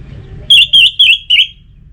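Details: Four clear, fluty whistles from an Orange-headed thrush, each a quick wavering slur, evenly spaced over one second; a song used to prompt captive birds to sing, with faint low noise behind.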